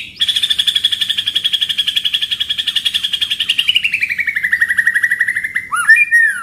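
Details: Rolling pastol-style song of a White-rumped shama, used as a training recording for other birds: a rapid, steady rattle pulsing for about four seconds, then sliding gradually downward and closing with quick whistled upward flicks.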